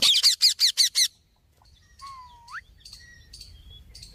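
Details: Parrot squawking: six loud, harsh, rapid bursts in the first second, then softer scattered chirps and a single rising whistled note, with quiet background rumble.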